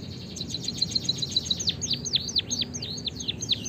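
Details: White-headed munia chirping, used to stimulate captive birds to sing: a long run of rapid, thin, high downslurred chirps, several per second, with softer low background rumble throughout.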